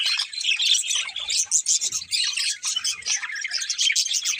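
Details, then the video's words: Lively chatter from a budgerigar pair: rapid overlapping high tweets, squeaks and buzzy warbles, pulsing in quick bursts with few gaps. "Cute Budgies Chirping Sounds"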